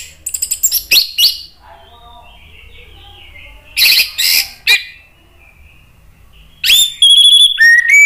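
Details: Agitated orange-headed thrush singing to provoke other birds: rapid stuttering high notes, a lower warbled passage, then a burst of clear ringing whistles sliding downward at the end.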